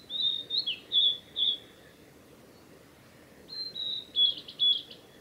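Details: Male Blue-and-white flycatcher singing on the Mizusawa forest road in Tanzawa, Japan, 8 June 2020: clear whistled notes near one pitch, some slurred, in two phrases separated by a pause of about two seconds.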